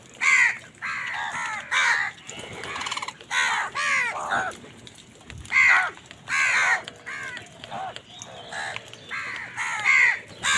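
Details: Crows fighting with wild birds for food in the morning, several birds calling: loud harsh caws in bursts, each raspy and arched, spaced roughly a second apart with brief quieter squawks between, faint background hiss.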